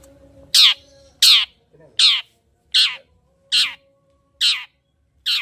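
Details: Long-tailed shrike giving loud, harsh, rasping calls, each a brief falling screech, repeated a little more than once per second, used as a lure to get reluctant shrikes singing; quiet between calls.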